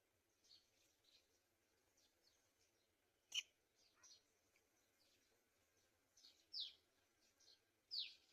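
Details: Black-winged kite feeding its chicks at the nest; scattered high, thin chirps and squeaky calls with a few louder sharp notes near the end, irregular, over a quiet background.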